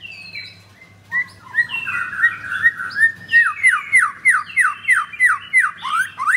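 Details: Caged blorok white-rumped shama with double rings in Kemayoran, Jakarta, Indonesia, in full song: warbling whistles giving way to a long run of loud, evenly repeated upslurred notes, about three per second, over a low hum.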